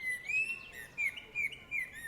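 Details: Common Blackbird, a bird able to imitate other birds and sounds around it, giving a string of clear whistled notes with short slurred flourishes, repeated about every third of a second against a quiet background.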